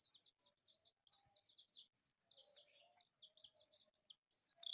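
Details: Playing pet chicks, four colourful ones, utter spaced high cheeps and short descending peeps with quiet gaps between, ending in a loud scraping noise.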